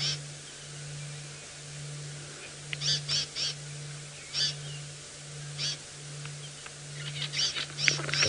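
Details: Buffalo weavers nesting in the same tree as a Wahlberg's eagle give harsh, raspy squawks in short irregular bursts, some doubled, over a steady low engine hum; South Africa, December 29, 2017 sunset drive.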